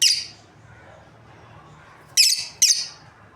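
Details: Breeding pair of lovebirds: one shrill, high chirp at the start, then a quiet pause and two more sharp chirps close together near the end, in a quiet indoor setting.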